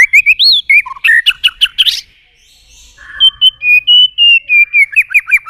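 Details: Competitive song of a white-rumped shama, provoking rivals: quick whistled slurs and a harsh burst, a short pause, then a long string of rapid clear descending whistled notes.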